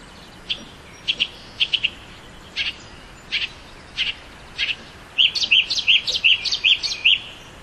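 A Northern mockingbird sings bright, high chirps in short groups, then a fast run of six or seven identical arched notes about every third of a second.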